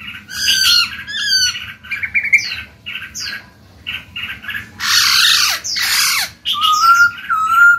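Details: Cage-kept black-throated laughingthrush singing to stimulate other birds, mixing high rapid chirps, whistled slurs and several loud harsh squawking bursts, ending with two level whistled notes.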